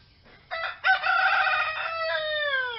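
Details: Domestic rooster giving a full crow: a short rough opening note, then a long bright harmonic call that lasts about two seconds and drops in pitch toward the end, with a quiet background.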